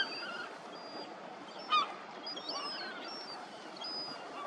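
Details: Juvenile lesser black-backed gull begging and being fed: thin, high whistled begging notes repeated through the clip, with one brief louder call over a steady rushing background.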